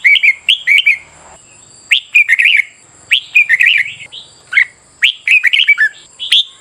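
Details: Red-whiskered bulbul delivering competitive morning song for training birds' voices: repeated bursts of lively, slurred chirps and whistles, some phrases ending on a falling note, above a constant thin high tone.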